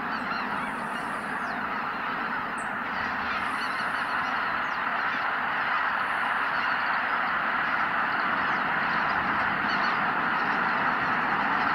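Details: A large flock of greater white-fronted geese leaving their roost at sunrise at Kabukuri-numa, Miyagi, Japan, calls without pause: a dense wall of overlapping high, yelping honks, with rumbling wingbeats.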